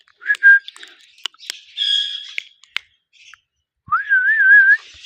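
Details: Pet ringneck parrot in India, talking: a short whistled note, then raspy harsh chatter broken by sharp clicks, a pause, and a longer whistle that rises and wavers up and down before ending.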